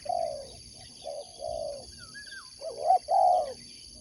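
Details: Spotted dove kept for sport dove competition, giving low mellow coos: three soft separate notes, then a louder phrase of two quick rising notes and a long rounded coo. A faint thin whistle from another bird and a steady high electrical whine run underneath.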